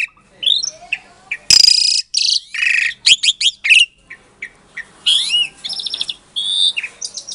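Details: Lure song of a captive-bred Asian pied starling from Klaten, Indonesia, meant to trigger silent starlings to answer: a varied run of rising whistles, loud grating buzzes and short chirps with brief pauses between phrases.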